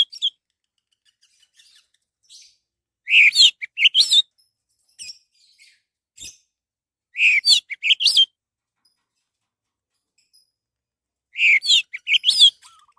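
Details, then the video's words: Orange-headed thrush song, played as a lure to make other birds sing: three bursts of loud, tumbling whistled notes, with short chips and pauses of several seconds between them. "SUARA BURUNG ANIS MERAH PALING TOKCER"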